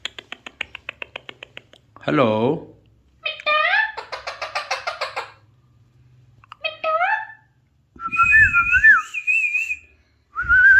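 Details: Talking Alexandrine parakeet: quick ticking, then a string of speech-like syllables, rising and falling squeaky phrases, and a wavering high whistle near the end.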